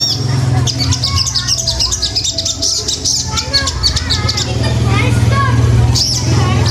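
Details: Bird song played to provoke rival birds: quick bright chirps and short whistled notes, some rising, clustered in bursts, over a steady low hum with speech in the background.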